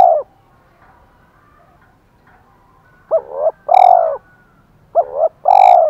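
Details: Decoy spotted dove, 'thổ pha' voice, fighting-provocation cooing: the end of one coo, a silent gap, then two phrases each made of a quick doubled note and a long, even, resonant purr.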